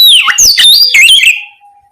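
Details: Oriental magpie-robin (kacer) calling its companion: one brief, loud phrase of swooping whistled notes and rasps lasting just over a second, followed by a faint steady tone.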